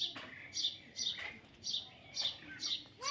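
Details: Baby parrot repeating high, sharp chirps roughly twice per second, each note brief and squeaky, with a faint rising squeal at the end.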